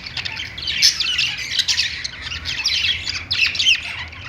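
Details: Pet budgies perched and singing, alongside lovebirds: steady stream of buzzy chirps and squeaky warbled notes in short overlapping bursts.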